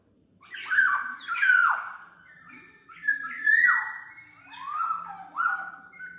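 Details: Song of a Black-naped oriole used for tutoring or luring birds: a continuous run of loud mellow whistles, each falling sharply, with scratchy nasal edges and a faint low hum beneath.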